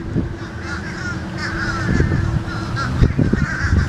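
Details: Fish crows calling noisily, brief nasal caws recurring every second or so above a constant low rumble and occasional knocks.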